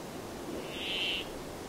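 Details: A single Brambling wheeze, a harsh, buzzy, level note lasting under half a second, heard clearly over quiet background hiss.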